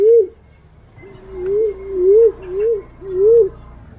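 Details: Green pigeon calling, used as a lure: a soft, wavering whistled note followed by a run of four undulating, rising-and-falling whistles with brief gaps, clean and without other sounds.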